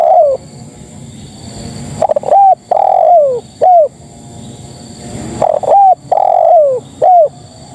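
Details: Repeated calling of a female spotted dove to males: two full phrases a few seconds apart, each a stuttered start, short coo, long falling coo and clipped final coo.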